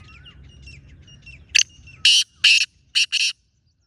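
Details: Wild black francolin calling beside a captive francolin: after faint twittering of small birds, five loud hoarse, rasping bursts follow, the last two close together.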